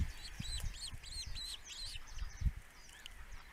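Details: Male osprey at its nest, filmed by a nest webcam in the Netherlands, giving a rapid series of sharp, whistled chirps that rise and fall, about three per second, over low rumbling wind or nest noise.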